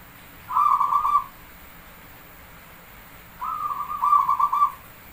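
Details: Javanese perkutut (zebra dove) song with counted beats, used as a lure: two bubbling, beaded coo phrases, the second longer and ending in a stronger rolling trill, about three seconds apart.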